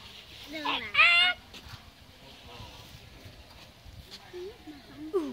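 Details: Common myna (Acridotheres tristis) song, recorded at Tết 2018: a varied run of wheezy whistles, a harsh burst of chatter and gurgling notes, with scattered clicks between phrases.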